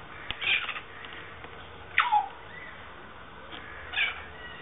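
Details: South Island kaka, one of a breeding pair in a public aviary at Dunedin Botanic Gardens, New Zealand, swinging on a chain; a few scattered calls, one sliding sharply downward, separated by quiet pauses.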